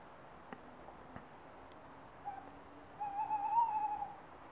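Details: A male tawny owl calling to his mate gives a short soft note, then a longer quavering, wavering hoot, with a few faint clicks and a low hiss underneath.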